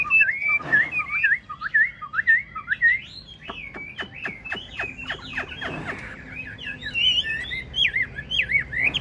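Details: Large caged Chinese hwamei of 'ngũ trường' form sings while nodding in a lion-dance display: a long run of wavering, slurred whistles, broken by a few sharp clicks midway, then resuming in varied twisting phrases.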